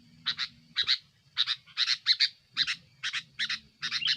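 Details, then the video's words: Sooty-headed bulbul in an aggressive lure song against rivals: paired rasping bursts repeated about twice a second with small whistled accents, above a steady low humming background. "suara burung kutilang gacor,SI BOCER ribut Menekan Lawan"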